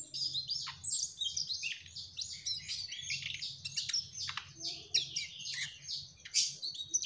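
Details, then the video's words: A Mugimaki flycatcher sings actively in the trotol style, delivering an unbroken stream of fast, shrill chirps and buzzy trills with several sharper accented notes. A quiet low hum runs underneath. "Burung Sikatan MUGIMAKI TROTOL Gacorr..."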